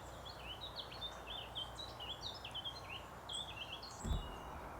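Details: A Eurasian Blackcap singing at the edge of oak trees gives a fast, continuous, scratchy warble of varied high and fluty notes over a steady low rumble of background noise, with one dull thump near the end.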